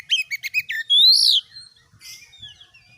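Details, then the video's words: Oriental magpie-robin, a caged bird in vigorous song for training others, delivers four quick stacked chirps then one long loud arching whistle, followed by soft fading notes. "MASTERAN KACER GACOR || Kacer gacor tes mental burung lain agar fighter"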